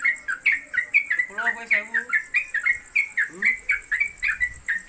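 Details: Yellow-vented Bulbul, known locally as trucuk, delivers continuous konslet kemedol song as a newcomer bird for tutoring. Fast repeated chirps run throughout, over a steady high whine, with a brief harsher wavering voice in the middle.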